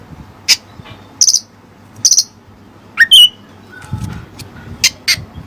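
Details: Oriental magpie-robin (kacer) with learned Cililin material: sharp high chips in short clusters, then a slurred whistled phrase rising and falling, followed by spaced high chip notes over a soft low hum.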